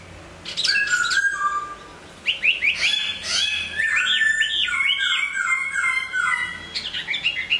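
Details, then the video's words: Moulting hwamei in a cage, singing loud, rich whistles; after a short pause it launches into a continuous run of looping, slurred notes repeated in rolling sequences. "Hoạ mi hót khi đang thay lông"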